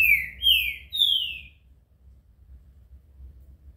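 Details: Green-winged saltator giving three loud, clear, high whistled notes, each sliding downward, in quick succession within about a second and a half, followed by quiet with only low background rumble.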